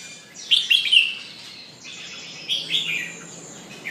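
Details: Red-whiskered bulbul kept as a cage bird, pumping and singing. Short clusters of sharp, liquid whistled notes come in two bursts separated by a quiet pause, with faint chirps at the end.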